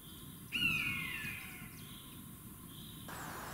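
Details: Common buzzard, one of the birds of Russia, gives a single loud, drawn-out mewing call that slides downward and fades over about a second, with steady hiss behind it.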